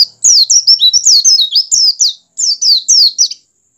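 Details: Oriental white-eye (Zosterops palpebrosus) sings a fast, high, twittering string of sweet warbled notes in two rapid, tumbling bursts with a brief pause between; song used to stimulate other white-eyes to start singing.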